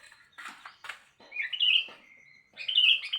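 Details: A sooty-headed bulbul sings at morning: a few sharp clicks and rustles open the clip, then two bright, rolling warbled phrases separated by a thin sustained whistle.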